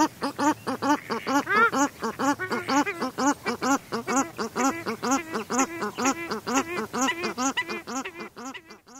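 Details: Pair of paradise shelducks calling close by, a mallard in the background; rapid, steady series of harsh nasal honking notes, about two per second, continuing throughout.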